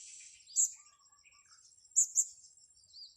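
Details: Blue-crowned hanging parrot calling during a luring session on grass: two bursts of very high, sharp, squeaky notes, a single one then a quick pair, over a faint steady high hiss.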